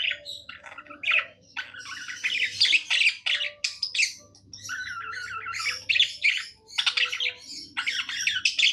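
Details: Happy pet budgerigar singing: continuous chattering warble of buzzy, scratchy notes and short squawks, with brief whistled phrases, running in bursts with short pauses, in a quiet indoor setting.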